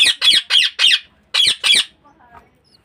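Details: Harsh squawks from budgerigars in an indoor breeding cage come as four fast notes, then two more after a brief gap, followed by faint chatter.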